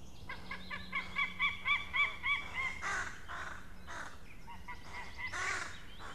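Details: White-tailed eagle parent warning at its nest as crows visit, 17 May 2016, around 20:12: a rapid run of yelping notes with overtones, repeated several times a second, then harsh crow calls, over a steady low hum.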